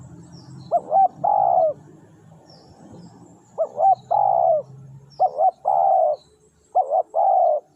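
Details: Four rhythmic phrases from a spotted dove used to draw wild doves closer, each two clipped rising coos followed by a long vibrating coo, with faint low rumbling background early on and quiet after.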